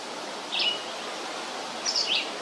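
Red-eyed Vireo singing short, slurred whistled phrases, one brief phrase then a quicker two-part phrase after a pause, over a steady background hiss.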